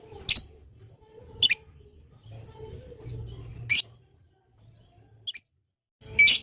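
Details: Lovebird giving long chatter meant to make other lovebirds answer: sharp, very high, scratchy shrieks in short bursts about a second apart, over a low rumbling background.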